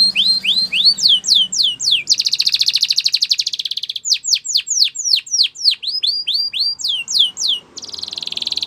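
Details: Belgian canary singing as a training song to encourage other birds to sing. Quick upswept whistles, a fast buzzy trill, a run of rising notes, then a second buzzing trill.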